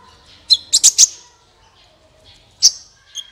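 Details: Sunbird singing as a lure to set other birds singing: one high chip, then a quick cluster of three loud piercing notes, a pause, and a single sharp note followed by soft trailing chirps.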